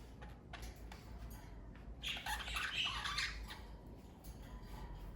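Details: Pet parakeet family chirping: a tight cluster of scratchy, overlapping chirps and squawks midway through, with quieter scattered ticks before and after over a low background hum.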